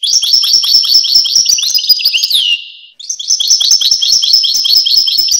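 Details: European goldfinch pouring out a fast, high, chattering warble of crisp twitters, a gliding downward note and short pause midway, then the tinkling stream resumes.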